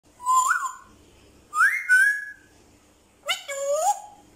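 An African grey parrot gives three clear whistles about a second apart: two sliding upward, the last dropping from high to low and ending in a steady tone.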